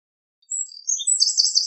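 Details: Eurasian wren giving a brief burst of high, rapid notes rising into a dense, buzzy trill, beginning after a short silence.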